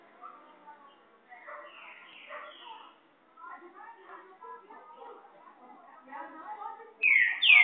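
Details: A green-winged saltator singing the "boiadeiro" (Sellani) song type gives a rambling run of mellow, warbled middle-pitched notes, fairly soft, ending in a sudden louder, higher burst.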